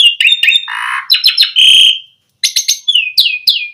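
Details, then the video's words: Asian pied starling song played to lure other starlings into singing: a loud mix of short chirps, a harsh rasping burst, a bright whistled note, then repeated descending whistled slurs after a brief pause. "Suara Jalak Suren Memancing Burung Jalak Biar Cepat Full Isian Mewah"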